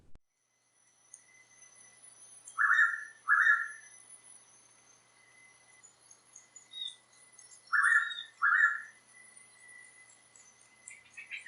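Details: Blue Pitta in Tat Mok National Park, Thailand, giving its typical call: two loud whistled phrases, each a quick pair of notes, about five seconds apart, over a steady high insect drone.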